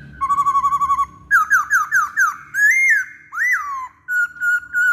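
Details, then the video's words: Masked laughingthrush singing on a lure recording to encourage other birds: a fast trilled whistle, a series of five downslurred whistles, bold arching notes, and a closing wavering whistle, all loud and clear. "Pancingan Poksay Hongkong"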